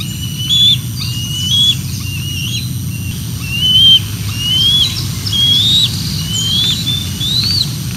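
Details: Bald eagles at the Decorah North nest on 06 12 2024 as an adult brings fish and young arrive and mantle over it; high thin whistled notes, each sliding upward, repeated about once a second over steady low background rumble.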